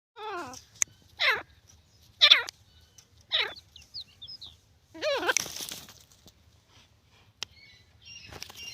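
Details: Grey francolin, known locally as teetar, giving loud harmonic notes. Each note is a sharp, descending, ringing phrase, repeated roughly once a second. A burst of rustling and clatter follows near the end.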